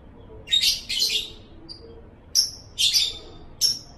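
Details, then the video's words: Chattering lovebird (ngekek): shrill, raspy bursts come in two pairs with a faint thin chirp between them. The calls are sharp and high, separated by short silences, with a quiet background. "bikin LOVEBIRD ANDA NGEKEK NGEKEK"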